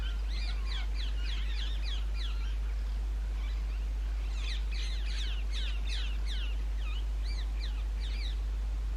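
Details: Wild rose-ringed parakeets nesting in holes of old railway bridges in the summer breeding season give loud, grating, rising-and-falling shrieks in rapid bursts, with a brief pause mid-way, over a constant hiss.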